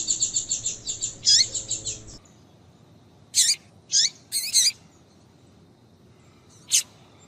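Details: Female yellow-bellied seedeater, a calling 'piadeira' used to stimulate males to sing, gives a quick rattling run of high thin notes, then a few separate sharp chirps spaced by pauses of one to three seconds.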